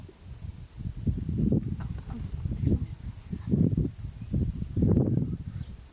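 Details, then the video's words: Male greater sage-grouse, two males displaying on a lek in courtship before a passing female; low, muffled thumping and swishing bursts come in clusters about once a second, with soft rustling between. "Male Greater sage-grouse (Centrocercus urophasianus) lekking, lek mating dance"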